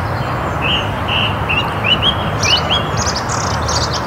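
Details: Song thrush in woodland in Perthshire, Scotland, giving a run of varied short whistles and chirps that climb in pitch, then bursts of high scratchy notes, against steady low-pitched traffic-like noise.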